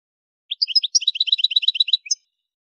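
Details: A short, regular phrase from an Algerian goldfinch of the Souk Ahras region, Algeria: about fifteen quick alternating high chirps in a steady rhythm, closing with a single sharp note.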